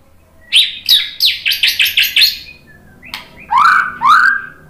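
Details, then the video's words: White-rumped shama singing in reply to a lure recording. It opens with two loud chirps, then a rapid run of about seven bright repeated notes, a pause, a click and two sweeping, rising whistled notes. "MURAI BATU jadi kepancing NYAUT ikut GACOR"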